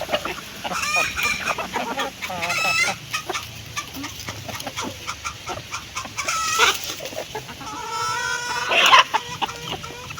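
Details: Hens eating food give short harmonic clucks and a few longer rising, wavering calls between dense pecking clicks, with a louder drawn-out call near the end.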